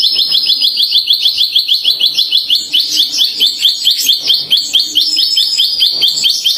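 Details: Javan bush lark, tame and singing vigorously: a fast string of sharp, high chips, roughly two per second, running on without pause in a shrill, insistent pattern.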